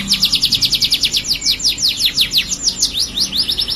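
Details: Tame domestic canary in full gacor singing: a dense, unbroken stream of quick, sharply falling chirps repeated several times a second, bright and high-pitched throughout.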